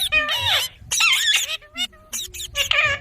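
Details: Ringneck parrot chattering in rapid squeaky, voice-like bursts, with a few thin sustained tones in a quiet gap near the middle.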